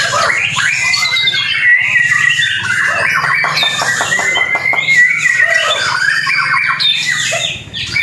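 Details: White-rumped shama after its moult, in new plumage, making its first appearance at a singing competition; loud, varied song of rich whistles sweeping up and down, with a run of rapid repeated chattering strokes in the middle.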